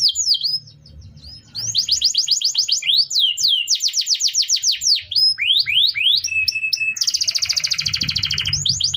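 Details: Canary master song used for training other birds: quick runs of repeated downward-slurred notes, sharp whistled swoops, a steady flat whistle, then a dense buzzy rolling trill near the end, with a faint low hum beneath.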